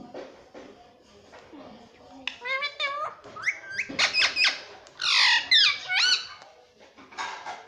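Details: Parrot said to talk and to say mummy and papa: after a quieter start, a lively run of sliding whistles, harsh squawks and speech-like bursts builds, with a loud, raspy stretch near the middle.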